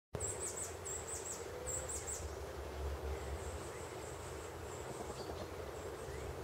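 Very high, thin chips of a Blue-throated Goldentail come in quick bursts, then a faint high trill, over steady rushing background noise.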